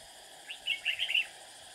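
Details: Red-whiskered bulbul decoy bird singing to lure rivals during trapping: one quiet, slightly distant phrase of four or five quick liquid notes, set against a hissy background.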